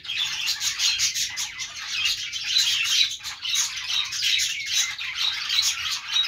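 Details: Budgies, the small Australian parrot, produce dense chattering: fast, grating chirps and squeaky whistles that rise and fade in waves lasting a second or two.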